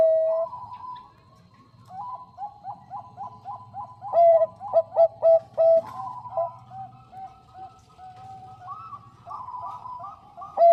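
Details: Female Bangkok zebra dove calling a male: soft distant coos repeated quickly, then a loud stuttering burst of clipped notes with a long level coo, several other doves cooing softly throughout over a low hum.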